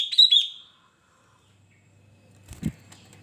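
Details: Sooty-headed bulbul giving one brief, bright warbled phrase of two or three rolling whistled notes, followed by silence and a couple of low knocks or handling sounds.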